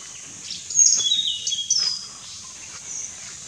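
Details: A Hainan blue flycatcher sings an elaborate song, a quick, high, thin warble of sweet whistled notes over about a second, with light background hiss.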